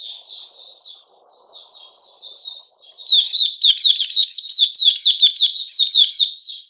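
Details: Caged sooty-headed bulbul recorded 10 July 2021, singing a quiet, scratchy warble that swells after three seconds into loud, rapid chattering notes, densely packed and high-pitched.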